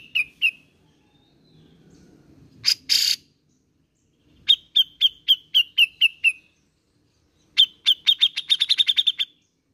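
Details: A Grey-cheeked Bulbul, recorded as a lure for bulbuls reluctant to sing, gives bright, clipped notes in quick runs of seven or eight, ending in a faster chattering burst, with a sharp rasping noise and faint low hum.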